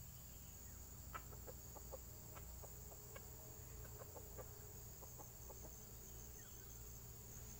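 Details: Red junglefowl lured in the wild, giving a run of short, sharp clucks in loose bursts over several seconds, with a steady insect hum and a high continuous whine behind.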